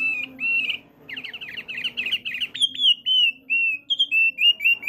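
A male Thick-billed Heleia sings a fast, chattering run of high chirps that settles into short, clear whistled notes, over a low steady hum.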